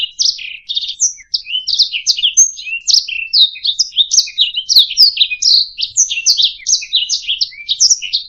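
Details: Canary song meant for tutoring other songbirds: fast, unbroken chatter of short high notes and sweeping slurs, densely packed, with brief trilled bursts and one clear whistle, clean and free of background noise.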